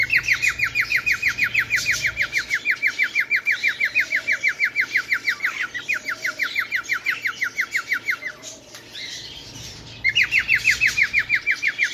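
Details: Bengalese finch giving long runs of rapid identical downslurred notes, about three per second. The runs break off briefly near the middle and again before the end, then resume.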